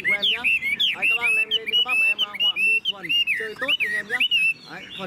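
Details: Tame caged Chinese hwamei singing a rich, loud run of clear whistled phrases that slide up and down, with fast rising and falling notes in quick bursts and brief pauses between them.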